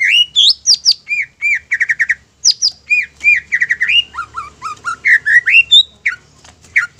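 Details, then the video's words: Greater green leafbird in full song meant to provoke rival leafbirds: a lively mix of rising whistles, squeaky chirps and rapid stuttered phrases with varied pitch, almost continuous throughout. "PANCINGAN INI BIKIN CUCAK IJO LAIN TERPANCING EMOSI DAN GACOR"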